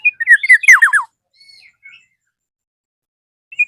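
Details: Black-naped oriole calling a rival bird: a rapid burst of slurred notes closes with three strong downward sweeps, followed by faint short whistles and a long pause.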